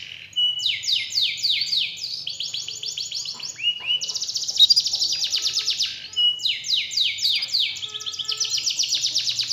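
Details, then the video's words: Canary song used to encourage a lazy canary to sing vigorously; phrases of rapid repeated swoops and rolling trills, a brief break near the middle, then another run of quick swept notes. "Pancingan Burung Kenari Males Bunyi Agar Gacor Lagi"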